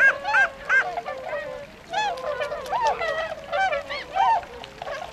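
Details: Tundra swans wintering in Azumino, Nagano Prefecture, Japan, February 2013, heading to rice paddies to feed; bursts of loud, nasal whooping honks alternate with stretches of quieter overlapping calls from the flock.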